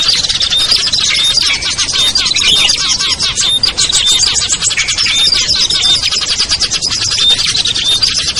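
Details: Lure chorus of small birds meant to draw wary birds down: a busy, unbroken wall of high chirps, twitters and short thin whistles from many birds at once, with no pauses.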